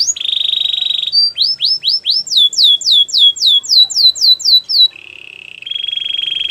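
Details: Belgian canary for training: a sustained rolling trill, then a series of loud arched and descending whistled notes, closing with a lower steady rattling trill.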